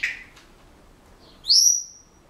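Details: A pet Senegal parrot indoors gives a short harsh note, then after a pause a bright, rising and sustained whistle, part of the whistling it practises at home.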